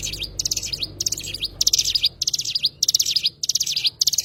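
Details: Cigun (Oriental white-eye) song of fast, high, jingling chirp clusters with sliding whistled notes, about seven phrases in four seconds, regularly spaced over a quiet background.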